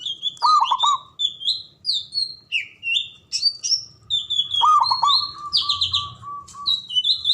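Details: Local Javanese zebra dove with a big, loud voice and long breath, used as a lure to spur fighting spirit. Short bouncing staccato coos sound twice, mixed with many high, thin whistled chirps from other birds throughout.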